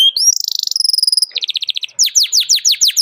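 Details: Singing canary challenging a rival, a recording meant to coax young canaries into learning song; rising whistled notes, a dense fast trill, a stuttering rattle, then loud repeated falling whistles.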